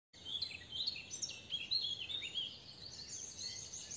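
Yellow canary giving a steady stream of high, quick chirps and twittering notes that run on without pause, over a faint background hiss.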